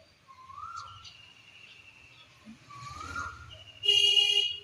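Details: Asian koel on a spring late afternoon gives two rising, whistled 'kuhu' notes about two seconds apart, with higher thin whistles from other birds and a brief harsh burst near the end.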